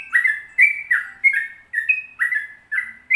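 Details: Sooty-headed bulbul in long 'ropel panjang' song style, singing actively: clear liquid whistled phrases, each with a bright rising note and a lower slurred one, repeated about every half second in a lively chain.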